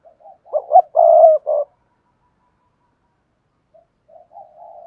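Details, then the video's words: Cooing song of a spotted dove in the Cườm Sa style, hạp bổi voice: two quick emphatic coos, then a long loud coo and a short final note, followed after a pause by softer, quieter coos. "tiếng chim cu gáy bài bản Cườm Sa"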